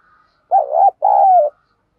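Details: Spotted dove used as a decoy bird, cooing in a quiet setting: a burbling, uneven first note, a short gap, then a sustained mellow coo that drops slightly in pitch as it fades out.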